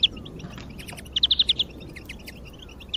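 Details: European greenfinch song meant to stir other birds to sing: a single quick run of about six clear ringing notes mid-clip, with scattered softer chirps before and after over low steady noise.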